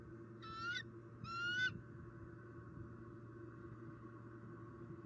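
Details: A vocal female bald eagle arrives at the Southwest Florida nest tree after the male delivers a second squirrel, October afternoon 2019. Two sharp, shrill, upslurred whistles about a second apart, over low droning noise.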